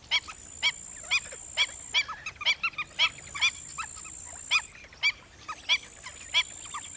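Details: A black-winged stilt gives sharp, nasal yelping notes about twice a second, used as a lure call for rice-field and swamp birds; black-winged stilt.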